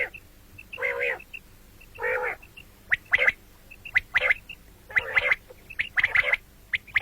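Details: Common quail heard morning and night, giving buzzy rasping bursts alternating with crisp, sharp notes grouped in twos and threes, repeated roughly once a second.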